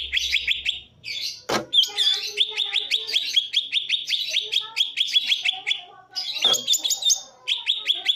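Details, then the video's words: Cucak ijo, the green leafbird, delivering tembakan song: a dense volley of bright, piercing notes repeated several times per second, interrupted by two sharp knocks, with a faint low hum at the start. "Suara tembakan cucak ijo"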